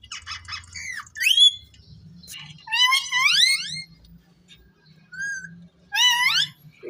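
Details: Indian ringneck parrot in a cage talking, with several loud sweeping harmonic phrases and short whistled notes between quiet gaps, over a low background hum.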